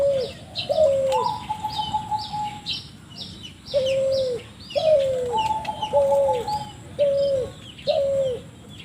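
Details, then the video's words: Strange-voiced spotted dove used as lure audio: short downslurred coos in loose bursts with two long, flat, slightly buzzy trilled notes, and faint high chirping of other birds in the background. "burung balam suara aneh"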